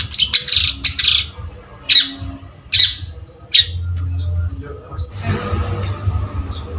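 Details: Long-tailed shrike (cendet), a lure recording: several sharp high chirps and squeaks in the first half, then a softer noisy stretch with faint background murmur.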